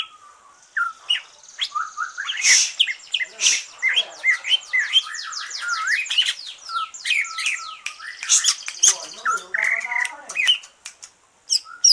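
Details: Post-moult green leafbird kept in a cage, singing to trigger other birds: long rich outpouring of rapid high chirps, whistled slurs and rattling trills, with faint low murmuring near the end.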